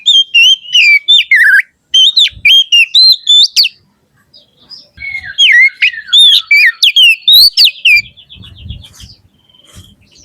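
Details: Oriental magpie-robin delivering 'riwik ngeplong' song, loud and open: bright clear whistles and rapid twittering notes in dense phrases, a pause after about four seconds, then another varied burst ending with faint low bumps.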